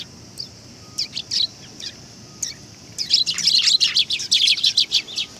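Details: Sparrows arriving to be fed at a Tenmangu shrine on 18 August 2020: a few scattered sharp chirps, then from the third second a dense, overlapping burst of bright, high twittering from several birds.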